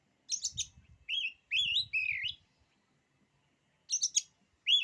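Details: Singing oriental magpie-robin whose song is said to daunt other magpie-robins: harsh buzzy clicks, then long wavering slurred whistles, a pause, and more clicks and a rising whistle; faint low rustling beneath.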